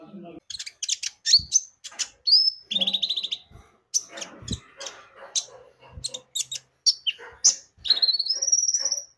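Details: Javan white-eye (konin), a lure to make birds sing: high chattering chirps and drawn-out rising whistles, with soft low murmurs and knocks underneath.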